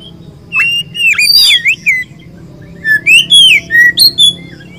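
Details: Oriental magpie-robin (kacer), poci or local type, singing gacor in Indonesia: loud clear whistled phrases, some rising, some falling, in two bursts separated by a short pause, over a faint low hum.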